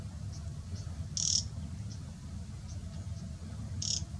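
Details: Taiga flycatcher call at Chandlai Lake, Shivdaspura, Rajasthan, 7 November 2018: two brief, dry, high rattles about two and a half seconds apart, with faint thin ticks between, over a low steady rumble.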